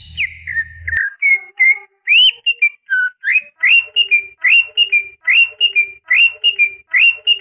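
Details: Greater green leafbird song, used to stimulate young birds into singing: after a short rough opening, clear whistled phrases around the middle register repeat roughly once a second, each a rising slur ending in a steady note.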